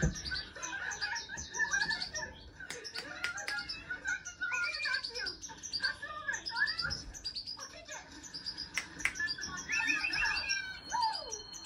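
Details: Hand-tame European goldfinch singing: rapid twittering, tinkling notes and short buzzy trills in a busy run, with sudden sharp clicks, soft thumps and faint human speech in the background.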